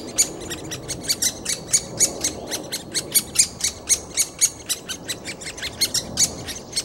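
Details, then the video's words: Great spotted woodpecker chick being fed by a parent in Bystrzyca Valley Landscape Park, Poland: a rapid stream of harsh, noisy chattering calls, about four per second, loud and sustained throughout. "Great Spotted Woodpecker feeding chick"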